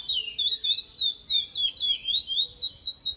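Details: Chestnut-bellied seed finch (curió), Praia Grande classic song style, delivering a continuous flowing warble of sliding whistled notes, rising and falling in rapid waves about four times a second, against faint low background hum.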